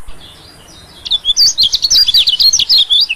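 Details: Calling white-eye used as a lure for small birds: after a second of quiet, a quick string of thin, high, twittering notes begins and keeps going to the end.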